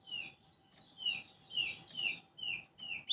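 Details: Kecial kuning of Lombok, a yellow flowerpecker said to sing without pause. Short, high, downslurred notes and brief warbles repeat about every half second over a hissy, noisy background.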